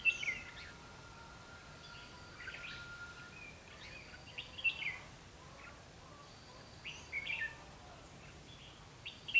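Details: Trapping session for red-whiskered bulbul, 21 March 2016: sparse, quieter outdoor recording with short chirpy phrases every two to three seconds and a thin steady whine in the background.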